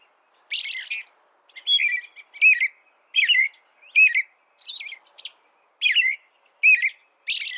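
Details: A steady string of short, bright phrases from an American robin, each a quick slurred whistle, repeated about once a second with a few higher squeaky notes mixed in.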